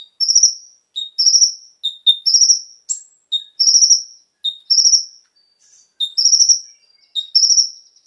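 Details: Brown-throated Sunbird (konin) song meant to provoke captive birds into singing. Paired phrases repeat through the recording, each a brief lower whistled note, then a high rattling trill. One sharp, very high note stands out.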